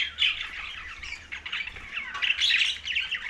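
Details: Mealtime chatter from green budgerigars in Larkana, Sindh: busy, buzzy warbling and quick chirps from many birds, dipping briefly mid-way, then swelling into a louder burst of squawks.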